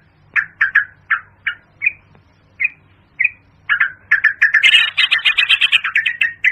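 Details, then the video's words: Yellow-vented bulbul (locally pirok pirok) call, played through a Bluetooth speaker as a hunting lure: short chirpy notes repeated irregularly, then a rush of dense bubbly chattering notes near the end, over a low hum. "yellow- vented bulbul|effective call sound"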